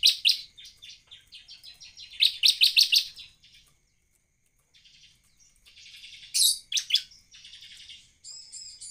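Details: Bar-winged prinia singing hard as a lure: rapid high ticks build into loud emphatic chips, then a pause, buzzy scratchy phrases, a couple of very high sharp notes and a thin whistled ending.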